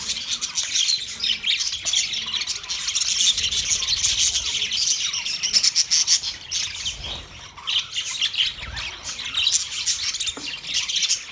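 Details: Constant high, buzzy twittering and clicking chirps from a yellow male budgerigar giving its mating sound, the chatter steady and dense across the whole stretch.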